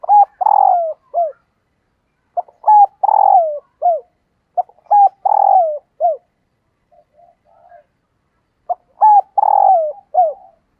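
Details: Cooing of a female spotted dove rousing males: repeated phrases of clipped rough notes, each built around one longer descending coo, about four phrases with a brief quiet murmur before the last.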